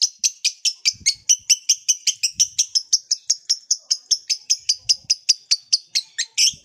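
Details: Pet lovebird singing a long chattering trill meant to encourage other lovebirds to sing: fast, even, high pulses of about four per second, sustained for nearly seven seconds.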